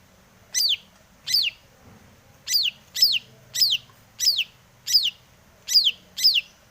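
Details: Long-tailed shrike in breeding condition, used as a lure to provoke other shrikes into singing: a series of sharp, descending, scratchy notes, each about a quarter second, repeated roughly every half to one second over a faint low hum.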